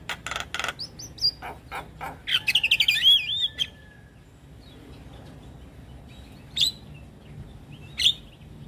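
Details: Javan myna in energetic song full of filler phrases, played to make lure mynas respond: opening harsh chattering notes, then a warbled, wavering whistled phrase, followed by quiet with two short isolated sharp calls near the end.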